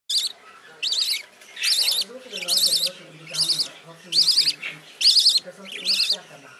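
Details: Youngest rainbow budgerigar chick in a nest box, seeking hold and warmth beside its siblings, gives rasping, wavering high calls repeated about once a second, with soft low murmuring sounds between them.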